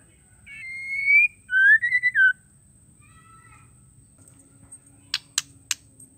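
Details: Female White-rumped shama calling to provoke males to sing. A clear drawn-out whistle climbs gently, then a lower swelling note stutters into quick pulses. Faint soft notes follow, then three sharp clicks.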